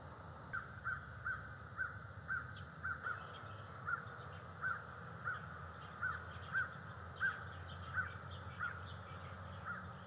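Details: Bald eagles at a nest tree in early morning, October 12, 2023, with whistle-like calls from a young male in the tree, captured on nest cams: a steady series of short, high piping notes, about two per second, over a constant low hum.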